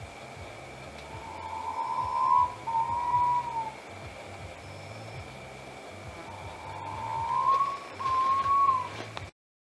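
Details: North Moluccan pitta, a split from red-bellied pitta: two clear, mellow whistled phrases, each a pair of drawn-out notes rising slightly then falling away, spaced about four seconds apart over a faint low hum.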